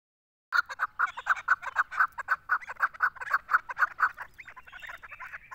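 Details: Female chukar partridge calling: a fast, steady series of clucking chuk notes, about four per second, running for five seconds after a brief silence, growing slightly ragged toward the end.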